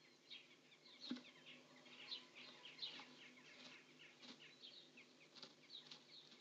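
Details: House sparrows sharing the nest for a moment, giving a stream of soft, quick twittering chirps mixed with scratchy rustles and light knocks from movement inside the nest.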